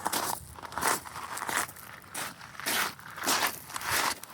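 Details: Crunching footsteps on gravel or sand fall in a steady walking rhythm, about once every half second, and no animal calls are heard.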